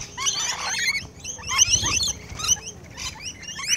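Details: Feeding rainbow lorikeets heard close by, a constant overlapping chatter of harsh, high squeaky screeches with several birds calling at once and a low rumble beneath.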